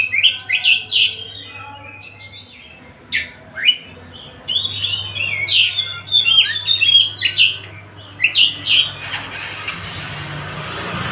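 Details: Oriental magpie-robin, a kacer from Tasik, delivers a varied song of sharp high chirps, slurred whistles and quick note clusters in irregular phrases, with a faint low hum underneath and a hissy noise burst near the end.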